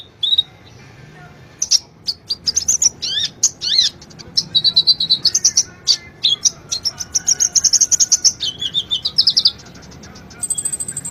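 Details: Brown-throated sunbird (konin) in lively gacor song for cage-bird training: thin, high trills and chips with quick up-and-down squeaky phrases, growing denser and faster midway.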